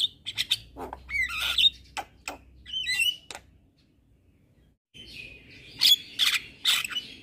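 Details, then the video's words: Javan myna in busy song, meant as tutor material for kept birds: bursts of raspy chatter and whistles, a nearly silent pause of about two seconds, then loud harsh scratchy notes resume. "Masteran Jalak Kebo Ini |Masteran Jalak gacor"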